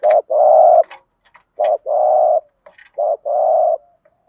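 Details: Spotted dove in thúc gù style, a lure to make wild doves sing: three low phrases, each a short note followed by a long, husky, even coo, spaced about one and a half seconds apart in a quiet setting.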